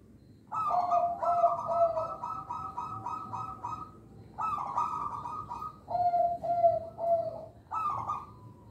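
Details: Local Indonesian zebra dove singing to lure and train other birds. A long, fast pulsing trill runs for about three seconds, followed by shorter trilled phrases that drop to lower cooing notes.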